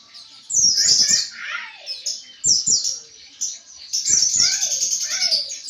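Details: White-eye in continuous 'ngriwik' chatter, a recording used to train pet birds. Dense, high twittering with quick downslurred notes comes in bursts, with a louder run from mid-clip to the end. Soft low thumps sound underneath.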